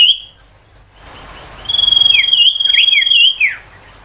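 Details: Ashy tailorbird tembakan song for training magpie-robins: a long sustained high whistle broken into a rapid fluttering trill with dropping slurred notes, preceded by a brief whistled note and a pause.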